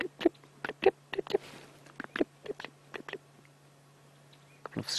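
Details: Chinspot Batis giving sharp, dry clicking alarm notes in irregular bursts a few times a second, near a dam in Sabi Sand, South Africa, on a warm late-June afternoon with northwesterly winds, over a steady low electrical hum.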